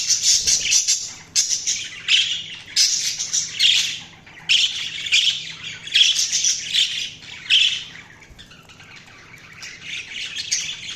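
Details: Budgies chirping in bursts of bright, scratchy warbling, each phrase a second or so long with short pauses between, fading into softer chatter in the final seconds.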